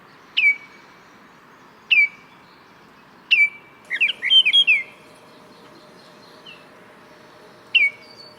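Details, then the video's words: Baltimore oriole giving clear, flutey down-slurred whistles about every second and a half, broken midway by a quick jumble of rich warbled notes. "What does a Baltimore Oriole sound like?"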